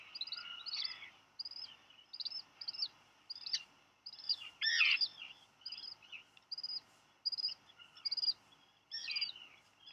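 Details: Black Guillemot chicks at Seal Island, Maine, in July, squabbling over a dropped fish; spaced thin high peeps with occasional louder harsh, squealing notes over a faint background hiss.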